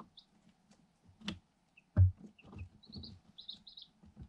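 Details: Day-old Light Sussex chicks, eight of them, are kept in a cardboard box and pecking at a hole and a GoPro camera. A few thin peeps turn into a quick run of high chirps near the end, over soft knocking and one loud bump.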